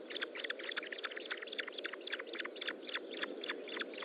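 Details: Osprey at the nest during a feeding, recorded 25 June 2012 around 10:58: insistent, evenly paced short chirps, nearly four per second, clear and strong throughout against a background hiss.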